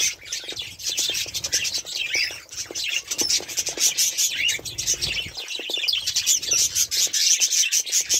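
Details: Budgerigars keep up a lively, unbroken twittering of high squeaks, raspy chirps and warbled phrases, with many quick clicking notes.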